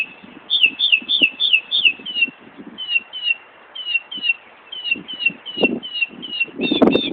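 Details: Northern mockingbird at Buckland Park, Brighton, New York, near an ambulance station, mimicking a car alarm: quick down-slurred whistled notes repeated about three times a second in steady bursts, with faint low background rumble.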